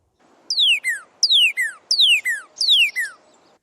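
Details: Northern Cardinal song of four loud, clear whistled slurs about 0.7 seconds apart, each sweeping steeply down with a brief lower tail; the song mixes high and low pitches and is described as starting low and rising very quickly.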